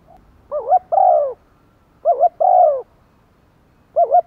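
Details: Spotted dove used as a decoy, calling to draw in wild doves. Its coo-style is called 'gáy thúc' and 'gáy gọi một hậu'. Low coos: a quick warbled 'cu-cu' then a drawn-out hoot, twice, with a third phrase beginning.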